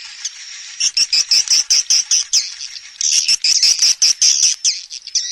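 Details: Swiftlet calling and roosting sounds in stereo: loud bursts of quick, sharp, high clicking chirps in rapid series, pausing briefly midway before another fast run.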